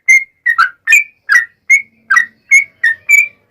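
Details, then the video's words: Sharp whistled chirps of a yellow-vented bulbul, sung to coax other bulbuls into answering, spaced about three per second, some notes slurred downward, some doubled, with clear gaps between them. "SUARA trucukan gacor ROPEL PANJANG pancingan trucukan agar bunyi"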